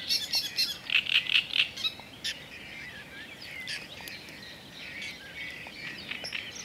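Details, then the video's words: Black-necked grebe calling: a quick series of short, bright, high notes in a burst at the start, then scattered thinner chirps and trills over a soft outdoor background. "Zausznik - Podiceps nigricollis"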